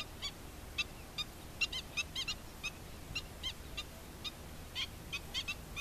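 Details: An adult black-winged stilt with chicks gives sharp, yapping 'kek' notes, about two or three a second in irregular bursts, over a soft background hiss.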